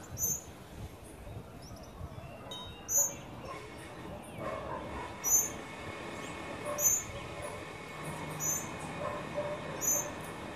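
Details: A Caribbean family of tropical mockingbirds with babies visits a birdfeeder in Trinidad. Thin, high peeping notes repeat roughly every one and a half seconds, fairly evenly, over a soft background hum.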